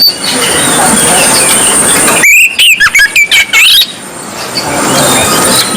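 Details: White-breasted Oriental magpie-robin, described as singing gacor ngobra, gives a burst of loud sweeping whistled notes and sharp chattering slurs lasting under two seconds, set against a constant hiss and broad background noise before and after.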